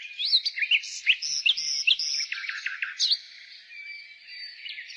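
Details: A nightingale sings in spring: sharp looping whistles and clicks, a short burst of rapid repeated notes around the two-second mark, then quieter soft twittering in the background.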